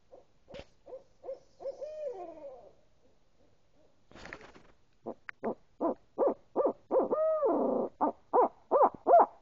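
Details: Owls, said to be getting closer, hooting in a rhythmic series of short hoots, a few drawn-out wavering notes, and a louder, faster run of hoots toward the end. A few sharp knocks break in.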